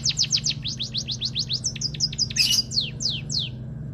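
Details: White-headed munia in vigorous song: a rapid run of short, high, downward-sweeping chirps, about four per second, with a few brighter, harsher notes midway, over a steady low hum.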